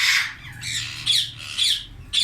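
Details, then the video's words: Indian ringneck parrots in a colony during summer, giving drawn-out raspy screeches, five loud harsh calls over two seconds with slight dips between them. "Ring Neck Colony in Summer"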